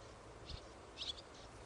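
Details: A young barn swallow, recorded 1 August 2011, gives two or three soft, high chirps in quick succession over a steady hiss of background noise.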